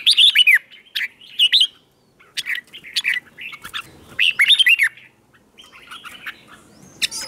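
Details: Red-whiskered bulbul, wild-caught bird in training, morning contest song: loud looping warbled phrases repeated at short intervals, with quieter chirps between and a rising note at the close.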